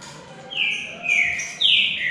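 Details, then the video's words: Green-winged saltator, known locally as bico-de-ferro, during a song contest between two birds: three bright whistled notes, each a short slur, the last sliding down, over faint low background hum. "DISPUTA DE CANTO"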